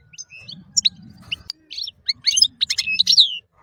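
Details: European goldfinch masteran song, looser and quieter: scattered chirps and short twitters building into a dense run of tinkling notes ending in a falling whistle, over faint low background rumble.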